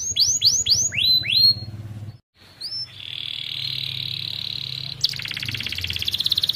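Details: Canary, a young bird, in tutor song for silent canaries: five quick rising whistles over a low hum, a short silence, then a smooth sustained trill and a higher rapidly pulsing trill.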